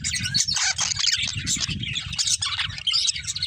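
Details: Breeding pair of budgerigars chattering loudly in dense scratchy warbles, accompanied by constant low rumbling noise underneath.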